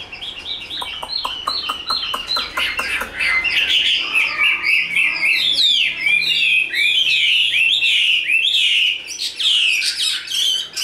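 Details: Chinese hwamei held in a cage, a big bird in fighting display with tail spread, opens with rapid clicking notes then bursts into loud varied whistles, slurred swoops and rippling trills, delivered quickly and continuously.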